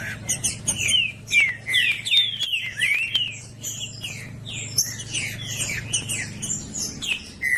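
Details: A green-winged saltator tutor sings to excite a cold trinca-ferro. The song is a busy tangle of short slurred whistles, louder early, then continuing as softer, crowded high notes over a steady low hum.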